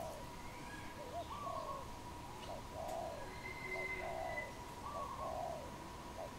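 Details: A wild dove in Cambodia, April 2020, gives a string of mellow, low, arched coos in short groups, with a thin high whistle from another bird and a constant faint hum behind.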